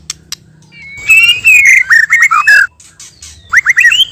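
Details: Male and female white-rumped shama singing as a trapping lure: after a short pause, a run of clear slurred whistles and chattering notes, then a quieter gap and a brief burst of rising whistled phrases.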